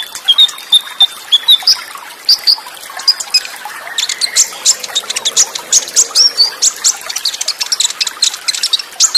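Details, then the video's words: Olive-backed sunbird, Tembakan Cililin song style with fast rolls and tight pauses, over running water: high thin whistles early on, then a busy stream of sharp ticking chirps. "Masteran KONIN FULL ISIAN Materi MEWAH Tembakan Cililin, Roll Speed & Jeda Rapat + SUARA AIR"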